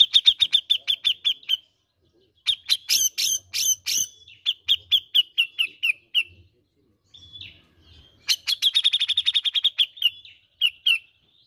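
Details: Greater green leafbird singing: long runs of quick, even, high ticking notes, a burst of harsher mixed notes, then another rapid ticking series and a few loose chirps, with short silent gaps between runs.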